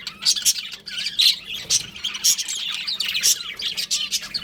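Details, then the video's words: Budgies in a breeding pair chirp and warble continuously, bright high tweets mixed with rasping notes and a few short whistled slides, with a soft low hum in the background. "Adorable Budgies Chirping Sounds"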